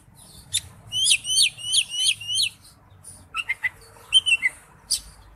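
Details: Lure song of an Oriental magpie-robin: a string of five high repeated whistled notes with upward flicks, a pause, then short sharp chips and a few whistled slurs, with faint low background hum.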